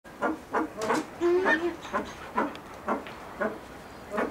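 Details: Blue eared pheasant at a pheasant breeding farm calling loudly: harsh, croaking notes repeated about every half second, with a longer, drawn-out note in the middle of the series.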